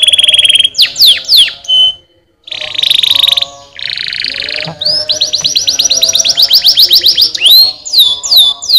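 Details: Canary song meant to encourage lazy canaries to sing: quick descending sweeps, a short silence, then dense buzzy rolls and a long rapid trill of rising notes, closing with fast downslurred whistles.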